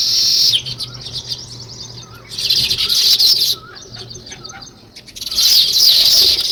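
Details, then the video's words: Sparrows, also called weaver birds, chirping outdoors: waves of high, crowded twittering from a flock come in three loud bursts, separated by quieter stretches with scattered single chirps. "Natural Sparrow Chirping Sounds |Weaver Birds"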